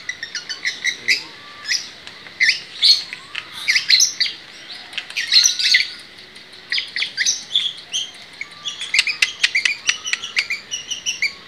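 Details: Vigorous long-tailed shrike song: dense bursts of harsh chatter and squeaky whistles, rising and falling in volume over several seconds, with faint low whistles from another bird behind.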